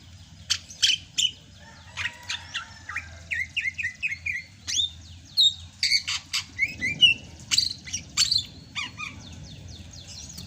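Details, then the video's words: Greater green leafbird from Sumatra, singing in the rainy season: energetic varied song mixing sharp high chips, short descending whistled notes in a rapid series, and sweeping slurs, with steady low hum behind. "MUSIM HUJAN CUCAK HIJAU SUMATRA MASIH BISA GACOR"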